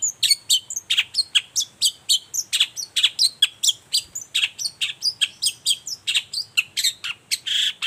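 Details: Long-tailed shrike vigorous morning song used as a lure: an unbroken, rapid chatter of harsh, scratchy notes, about four per second, ending in a longer rasping buzz.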